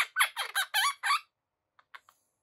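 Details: A pet female Quaker parrot (monk parakeet) gives about six quick, harsh, squawky chatter notes in just over a second, followed by a few faint soft clicks.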